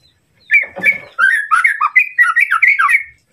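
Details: White-rumped shama, a bird used as a training model to provoke a rival, sings a rich run of varied whistled and warbled phrases around the mid range after a short harsh opening note, dense and fast with no other sounds.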